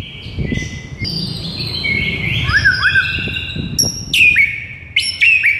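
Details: White-rumped shama morning tutor song to rouse a silent bird: sustained whistles, a pair of quick upslurred notes, then loud sharp notes falling into curled whistles, over low background rumble.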